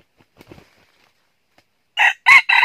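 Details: Red junglefowl in northern Vietnam, used as a decoy to lure wild junglefowl into a trap. Faint soft rustles, then a loud harsh crow begins near the end in stacked bursts and is cut off mid-phrase.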